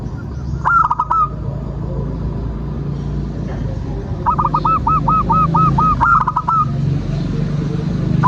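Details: Local zebra dove song meant as a lure to set other birds singing: two brief cooing bursts, then a longer phrase of about nine quick, evenly spaced coo notes ending in a drawn-out coo, against heavy low rumbling background noise.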